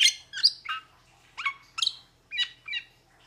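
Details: A metallic starling delivers quick, chattering squeaks and bright chirps in short bursts, some notes sliding down in pitch, with little background noise.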